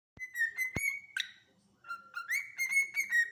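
A cockatiel gives a run of bright, sustained whistles, mostly held level around one pitch, broken by a couple of short clicks and harsh chirps.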